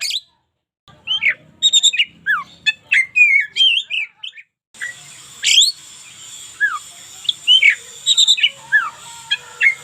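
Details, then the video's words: Singing oriental magpie-robin, local type, a spirited songster recorded as a daily tutor for other birds: scattered sweet whistles, downward slurs and sharp chips, later over a steady background hiss. "KACER LOKAL GACOR SUARA UNIK"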